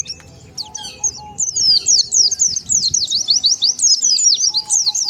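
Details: Oriental white-eye calling as a lure for wild birds: a few scattered high notes at first, then a dense, rapid twittering of sharp, thin chirps over a faint low rumble.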